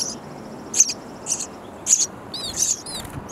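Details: Baby sparrows in a bird house nest chirp loudly for food as their parents bring insects; high, hissy chirps come in short bursts about once a second, with a few thin whistled notes near the end.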